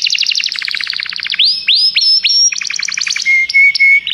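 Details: Canary song opening with a fast rattling trill, then clear upslurred whistles, another choppy trill and a steady flat whistled note to finish.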